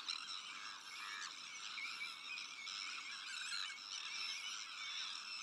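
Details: Sandwich tern colony in the breeding season, with black-headed gulls, Arctic and common terns nesting alongside; an unbroken wall of shrill, grating calls, swelling in louder bursts every second or so.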